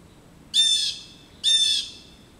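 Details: Two loud, raspy jeer calls, each lasting about half a second, from blue jays harassing a roosting adult male osprey in a back yard.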